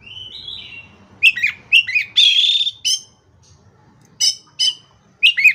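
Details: Oriental magpie-robin (kacer) in energetic gacor singing, played to coax silent birds: a rising whistle, then sharp chipped notes, a harsh buzzy burst and separate bright ringing notes, with a faint low hum underneath.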